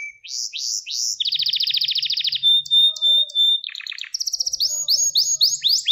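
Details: Gloster canary song, a training recording for rousing males: rising sweeps, a rapid rattling trill, a long pure steady whistle, then clipped note bursts and bright upward sweeps.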